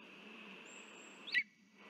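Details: A lesser spotted eagle at a nest in Latvia on 3 September 2023 gives one short, high yelp that drops quickly in pitch. It is a male holding a frog and calling to its mate, over a steady background hum and hiss.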